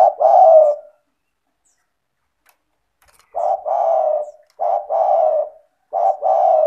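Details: Spotted dove (tekukur), a bird in full voice used to coax quiet doves into calling, gives one low throaty coo, a pause of over two seconds, then three more coos in quick succession.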